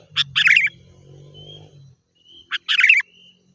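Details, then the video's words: Sooty-headed bulbul song used as a lure for wild birds: short bubbling phrases, a sharp note followed by a warbled burst, repeated twice about two seconds apart, with faint thin whistles and a low hum between. "Suara Burung Kutilang Gacor"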